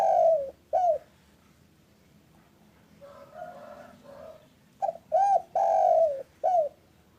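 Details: Local spotted dove cooing in the afternoon, used as a lure to prompt other doves to call: two cooing phrases of short hooked coos then a long drawn coo, fairly loud, with a softer distant coo between.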